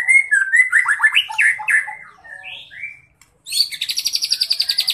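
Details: Spotted young white-rumped shama firing off imitated cerucuk filler in its song; varied warbling whistles rise and fall, a pause, then a dry, fast series of about twenty evenly repeated high notes.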